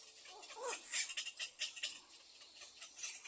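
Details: Little egret chicks in the nest begging their mother to be fed: harsh, raspy chattering calls in short uneven bursts, noisy and broadband, with a few thin higher squeaks.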